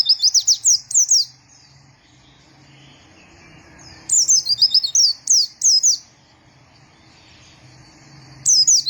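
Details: Short, rapid phrases of high, sliding twitters from a white-eye, separated by quiet gaps of a few seconds.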